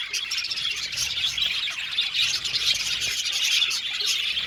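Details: Budgerigar colony in an aviary, busy overlapping chirps and twittering warble notes holding a steady high chatter.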